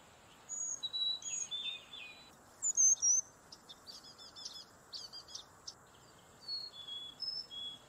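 Carolina chickadee giving high, clear whistled notes that alternate high and low, with a burst of rapid, buzzier notes midway and a steady thin hiss behind.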